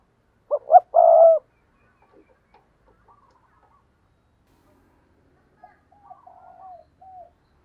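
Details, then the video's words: Spotted dove decoy bird giving a lure coo: two short low hooting notes followed by one longer, fuller coo, then silence and a few faint, softer fragments after several seconds. "tiếng chim cu gáy mồi chuẩn cực hay thúc sung"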